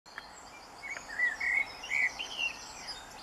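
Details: A common blackbird sings at dawn, 4 am on 24 June 2015, a short, mellow, fluting warble of slurred whistles, with a steady high hum and faint twittering from other birds behind.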